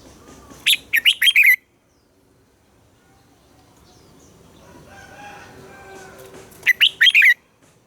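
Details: Red-whiskered bulbul giving a mature wild-style double-note morning song used to spur caged bulbuls to sing: a fast burst of four or five bright warbled notes, then a soft rushing noise, and a matching phrase about six seconds later.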